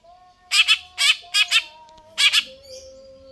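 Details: Vigorously singing cucak ijo (greater green leafbird): four quick pairs of harsh, buzzy double notes over a faint steady whistled tone.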